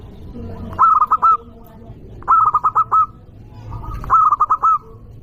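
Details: Local zebra dove prized for its loud call, used to rouse rivals: three evenly spaced phrases of rapid, ringing coos, each five or six notes long, over a low rumbling background.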